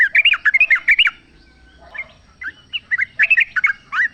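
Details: Sooty-headed bulbul in the wild, singing lively bubbly phrases: quick rolling warbled notes in a fast burst, a short gap, then more gurgling fragments rising and falling. Played to coax a caged bird into song.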